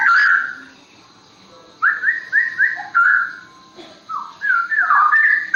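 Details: Forest straw-headed bulbul, ropel nggulung song: a loud rich whistle, a pause, then a quick run of four bright rising notes and a fluty tumbling phrase with gurgling twists.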